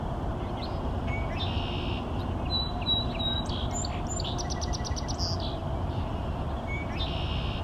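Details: A male Red-winged blackbird sings twice to attract females on a sunny 5 April 2023 in Thorold: short clicking notes, then a harsh, buzzy trill, with other high chirps and a low rumble of wind or traffic.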